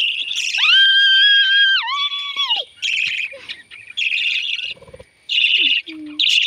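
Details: Baby lovebirds during hand feeding: a long, clear, drawn-out whistled tone first, then harsh, buzzy, rasping bursts repeated in quick succession, with brief gaps and light handling noises between them.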